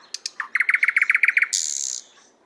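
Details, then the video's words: Moscow park nightingale, 50th Anniversary of October park, recorded with RODE NTG-3 microphone and ZOOM H6: a few sharp clicks lead into a quick series of about twelve repeated notes, ending in a high harsh buzz. "Соловей поёт"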